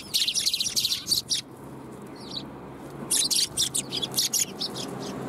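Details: Sparrows come for food at a Tenmangu shrine on 1 January 2021, calling in busy runs of high, scratchy chirps. There is a brief lull midway before the chatter resumes.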